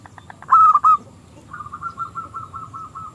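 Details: Local zebra dove used to lure rival doves into song: faint pulses, one loud rolling coo, then a fainter fast trill of repeated short notes fading out.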